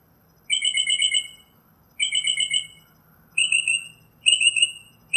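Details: Northern mockingbird singing high trilled phrases about one second long, repeated with short gaps, the later phrases shifting to a smoother, slightly rising whistled note.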